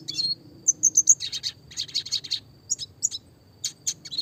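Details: Red siskin singing classic fast roll tembak phrases for tutoring small songbirds: a series of piercing high chips followed by scratchy twittered bursts and more sharp notes, rapid and irregular.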